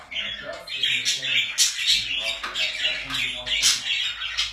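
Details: Pet budgies warble continuously, a steady stream of high, raspy, chattering notes with occasional sharper squeaky peaks.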